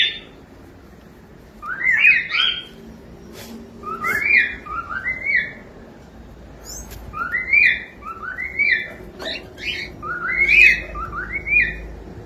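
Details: Young pet cockatiel singing indoors: repeated short whistled phrases of two or three rising notes, returning every couple of seconds, with light clicks and taps between them.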